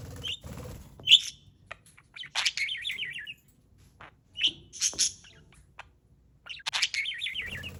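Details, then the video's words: A parrot gives sharp, high chirps and two wavering, warbled trills several seconds apart, with quiet gaps between the bursts, on July 4. "Bird Playing with Chirping Sounds"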